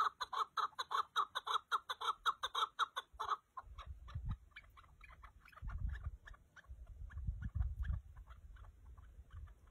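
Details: Chukar partridge clucking loudly in a rapid series for about three seconds, then fainter notes continue under low rumbling and handling noise.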